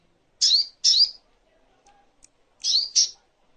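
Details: Crimson sunbird (sogok ontong) training master: two pairs of sharp, high, downslurred chirps, each pair quick, separated by about two seconds of near silence.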